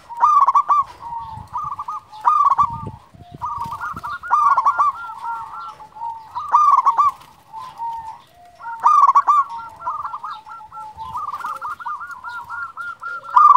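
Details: Prolific local zebra dove calling, used to stir quiet or stressed doves; long runs of rippling, stuttered coos that overlap one another and pause between bursts, with low thumps in the background.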